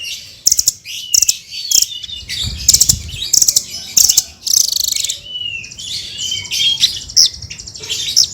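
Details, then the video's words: Srindit, a hanging parrot, in full energetic song for tutoring other cage birds: bursts of piercing high chirps repeated every half second to second, with short buzzy trills and thin whistled slurs between them. "Suara Burung Srindit Full Gacor"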